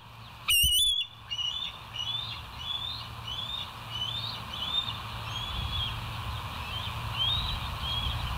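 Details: Bald eagle at the West End nest cam, 29 August 2023 at 07:03, gives one loud shrill piping note, followed by a long string of faint, thin, rising chirps over continuous background hum.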